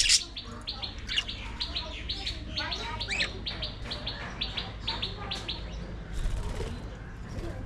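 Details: Budgerigars kept as an aviary colony chatter in a fast, steady run of short chirps, several birds overlapping, fading toward the end amid low background noise.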